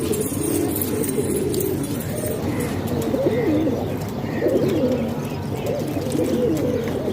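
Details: Pakistani pigeons kept in a house give clear low, wavering, bubbling coos that rise and fall in repeated phrases over a murmuring flock.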